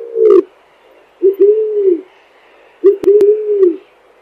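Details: Eared dove (Zenaida auriculata) singing: low, soft, drawn-out coos, each lasting under a second, three phrases across about four seconds, some opening with a short hiccup-like note; two sharp clicks near the end over faint background hiss.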